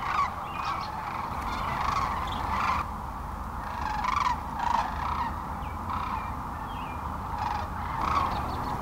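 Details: Thousands of sandhill cranes roosting on the North Platte River near North Platte, Nebraska, early morning, March 25, 2012, taking off to feed in nearby farm fields; a dense, continuous chorus of rolling, trumpeting calls with louder calls swelling every second or two.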